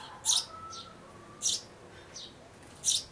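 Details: Sparrow parents urging a chick at a nest box hole to fledge, May 2012; three loud high chirps about every 1.3 seconds with softer notes between.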